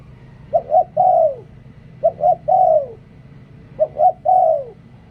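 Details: Spotted dove serving as a decoy bird, singing three soft phrases: a pair of short rounded notes then an extended coo sliding downward, pauses of about a second between phrases.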